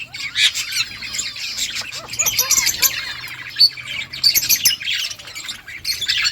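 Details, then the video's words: Budgerigar colony flock calling, clear upward-sweeping chirps and warbled twitters layered over steady high chatter. "budgies parrot chirping sounds"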